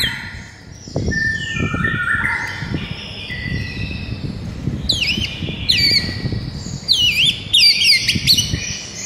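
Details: White-rumped shama song from a morning training recording meant to excite a quiet caged bird: soft stepped whistles at first, then bursts of sharp sweeping whistled notes in clusters, with low rumble beneath.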